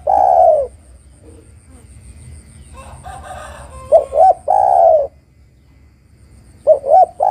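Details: Zebra dove hen calling the male, used for luring: a long soft coo, faint background rustle, then two more phrases of short double hoots ending in a sustained falling coo.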